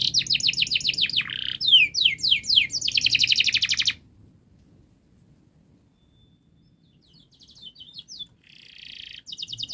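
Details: Canary singing fast, dense song to stimulate juvenile canaries to sing: four seconds of rapid trills and swooping notes, then near silence, with faint quiet trills and a buzzy phrase returning toward the end.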